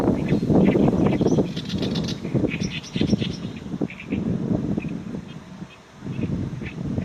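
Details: Oriental reed warbler singing in wind: harsh, chattering notes repeated about four times a second in rough bursts, with heavy low wind rumble throughout.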